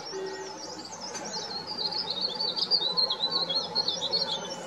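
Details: Verditer flycatcher calling loudly from the top of an oak tree in the Himalaya in spring, before breeding, marking territory; a continuous, rapid, high warbling trill of twisting notes, getting louder midway, over a low steady background hum.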